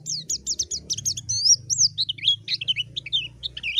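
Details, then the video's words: A white-eye calls a rival with quick high chirps that slide into looping, wavering whistles and short twittered phrases, over a soft low hum. "Masteran suara burung PLECI MANGGIL LAWAN || suara JERNIH"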